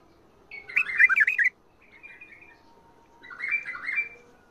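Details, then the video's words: Bulbul song in the Mandali and Badra styles (shadat ward, fajrli, ward tabarli): a loud, rapid burst of liquid, rolling whistles for about a second, a quiet trailing warble, then a softer slurred phrase. "تغريد ارقى اطوار مندلي وبدره شدة ورد .وفجرلي. ورد تبرلي"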